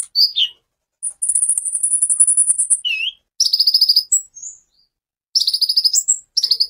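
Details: Sunbird (kolibri ninja) in lively 'tembakan' song, a master recording for teaching other songbirds: a long, very high, rapid buzzing trill, a short falling whistle, then bursts of quick staccato notes separated by short pauses.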